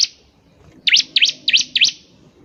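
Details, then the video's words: Bar-winged prinia lure recording meant to make birds start singing: a run of five sharp, high, V-shaped chirps, about three per second after a short pause, over faint background hiss. "PANCINGAN CIBLEK GACOR || CIBLEK BAHAN PASTI CEPAT BUNYI"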